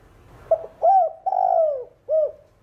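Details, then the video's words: Spotted dove singing in the thổ đồng voice, played to stir other caged doves into cooing: a short note, a longer coo, one long wavering drawn-out coo, then a final falling coo, in quiet surroundings. "Cu Gáy Giọng Hạp Bổi THỔ ĐỒNG Đủ Bài [ GÁY GỌI + THÚC + GÙ ] Kích Bổi Gáy"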